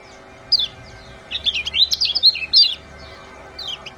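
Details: Bird chirping played to stimulate lazy caged songbirds to sing: bright, high, sweeping chirps in short bursts, a lone note, then a dense run of rapid twittering trills, ending with two quick rising-falling notes over faint background hum.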